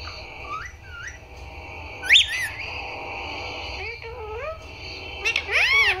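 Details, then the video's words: Green pet parrot saying "Papa" and "Mummy": soft rising notes, then a loud squeaky upward-sweeping syllable, quieter wavering phrases and a final bright burst. "mitthu talking Mummy Papa"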